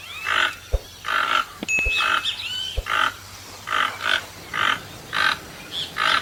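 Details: Toucan croaking in quick raspy bursts, joined by a few loud low knocks and a brief thin whistle from another bird.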